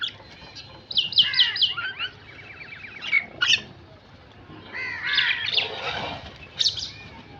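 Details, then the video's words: Crows calling: bursts of harsh, arched caws, some in quick runs of four or five, with pauses between groups and faint background hiss. "Crow sound effects"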